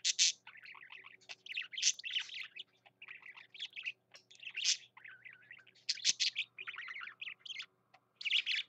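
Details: Pet budgerigar, male, pouring out song: loud squeaky chirps and scratchy chatter alternating with softer twittering, with a click-like sound near the middle.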